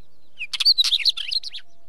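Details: Wheatear delivering one dense, hurried phrase that opens with a short whistled note, then runs into scratchy clicks, warbled high twitters and squeaky slurred notes for just over a second.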